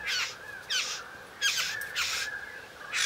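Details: Male satin bowerbird in a courtship display aimed at a female; harsh buzzy churrs repeated roughly every 0.7 seconds, each with a sliding descending whine, separated by brief pauses.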